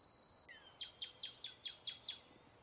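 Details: American kestrel eating prey, calling seven clear, sharp, downward-slurred notes spaced about a fifth of a second apart; a shrill insect drone stops just before the calls begin.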